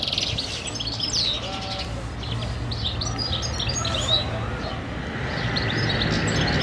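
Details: European goldfinch (Carduelis carduelis) song: quick, tinkling twitters and thin high chirps over a steady low rumble, with a voice faintly in the background.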